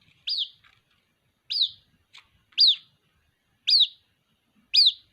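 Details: Calling for its mother, a white-breasted waterhen chick gives five loud, thin, sharply falling whistled peeps about once a second, with a faint tick between calls.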